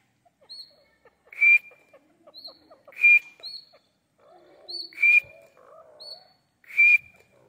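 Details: Breeding pair of grey francolins from Pakistan. A high whistled note comes before each loud, rasping burst. The pair repeats four times at roughly 1.7-second intervals, with soft twittering and clicks between calls.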